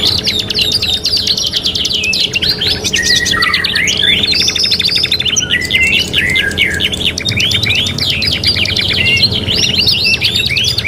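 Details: Canary singing energetically in a '3 in 1' tutor mix for training birds: long run of rapid buzzy trills broken by looping whistled slurs, varying phrase to phrase, over constant faint hum.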